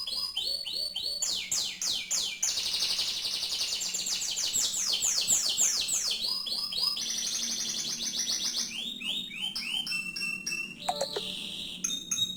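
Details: Canary in extended song: quick chattering trills, runs of falling whistled notes and rattling segments follow one another in a loud, continuous, richly varied flow lasting over twelve seconds.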